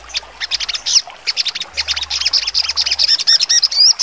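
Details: Sogon songbird giving sharp, shooting song notes, used for training contest birds: irregular bursts of high staccato chirps and short whistled slurs, with no long trill, growing denser toward the end.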